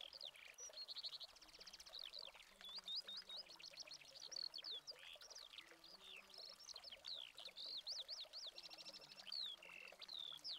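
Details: Long outpouring of Eurasian skylark song in Spain, August 2020, on a Canon 7D Mark II: quick repeated trills, rising and falling zigzag whistles and chirps run together in an endless, hurried warble.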